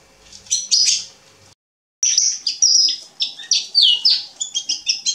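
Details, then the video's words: Male Atlantic canary in song, 27 October 2020: a quick burst of high chirps, a half-second pause, then lively twittering with sharp repeated notes that end in a quick series of clipped chirps; a soft hum lies underneath. "Kanariengililtz Männchen am Singen."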